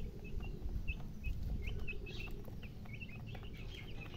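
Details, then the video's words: Chicken chicks peeping in rapid, uneven bursts of short high chirps, some rising, over heavy low-pitched background rumble. "Baby "Chicks Chirping" Sound"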